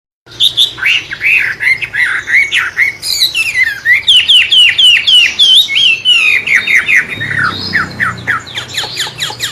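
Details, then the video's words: Wambe bird singing in a murai-like style, used as a lure to stimulate and tutor songbirds: a fast run of loud whistled, slurred notes, some falling and some rising, about four per second, with a faint low hum underneath. "burung wambe rasa murai.. pancingan joss buat masteran kicau"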